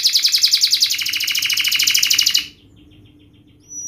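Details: Tight, sharp 'speed' canary song, used as a training lure for young canaries learning to roll: a dense, high, rapidly pulsed trill for about two and a half seconds, then near quiet with faint soft chips.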